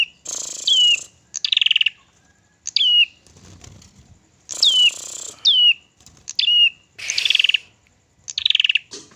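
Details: Crested tit-warbler song played to provoke other birds: high, sharply falling whistled notes with buzzy trilled phrases, about eight bursts separated by short pauses, with faint low rustling.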